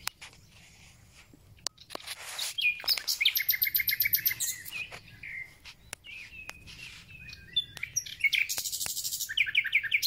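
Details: Thrush nightingale singing as spring begins, with loud rattling runs of quick repeated notes, clear whistles and high buzzy trills. Sharp clicks punctuate the recording.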